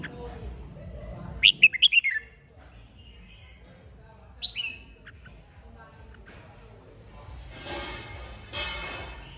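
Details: Red-whiskered bulbul from Hòa Bình, Vietnam, 3 March 2023: a quick burst of four loud, bright whistled notes, then a single descending note, followed by rustling and handling noise.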